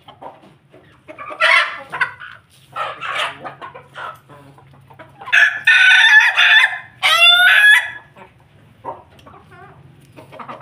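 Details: Ayam Ketawa chicken among a family of Pelung Bangkok chickens: scattered clucks, then a loud choppy crow broken into rapid segments, and a second rising crow, with low steady background hum throughout.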